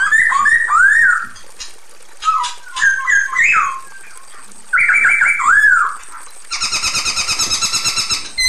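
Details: Female black-throated laughingthrush calling the male, giving clear looping whistled phrases in several separated bursts, followed by a fast even series of buzzy repeated notes over the final two seconds.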